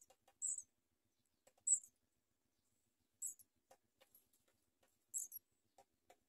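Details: Baby house sparrows at a feeding by their mother, pecking at her as she feeds them: brief shrill squeaks in high bursts, spaced irregularly, with soft scattered ticks and rustles between.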